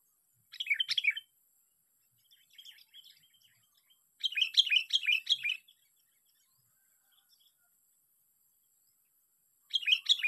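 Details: Sooty-headed bulbul, trapped by luring, giving bursts of bright, bubbling notes around one second long, separated by silent gaps, with softer chattering phrases between.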